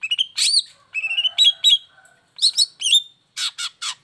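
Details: Long-tailed shrike song, used as a lure to make lazy or moulting shrikes sing: varied whistled notes at steady pitch mixed with harsh buzzy bursts and short rising slurs, delivered in quick irregular phrases.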